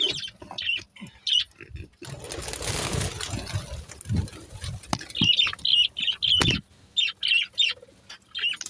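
A budgerigar gives short, bright chirps in quick bursts, with a loud rush of flapping wings midway.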